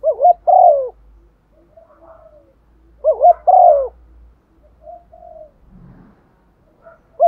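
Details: Decoy spotted dove calling in a patterned style meant to stimulate others: two phrases of a wavering double note and a falling coo, about three seconds apart, over low rumble and faint soft coos.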